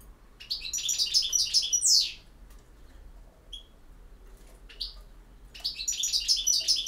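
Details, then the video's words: Campero-style song of a European goldfinch: a dense run of liquid twitters ending in a sharp descending buzz, a pause with a few isolated notes, then a fresh outburst of rapid tinkling trills. "El Jilguero BiH 21"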